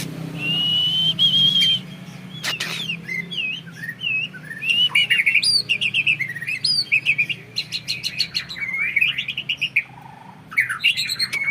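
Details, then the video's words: Champion-lineage bred white-rumped shama in full song, said to demoralise rivals with long shots: a long held whistle, then rich varied whistled phrases, slurs and rapid repeated notes, densely packed. "Burung Murai Batu Trah Jawara Vegas BF Tembakan Panjang Bikin Musuh Down Mental"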